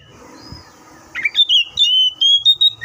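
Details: Oriental magpie-robin song starting after a second of low background hum: a series of clear sustained whistles stepping slightly in pitch, with brief chip notes.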